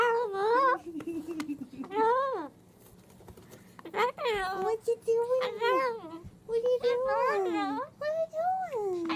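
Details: Indoor pet Moluccan cockatoo running through talking phrases, string after string of sliding, harmonic syllables with rising and falling inflections, plus faint tapping sounds in the background.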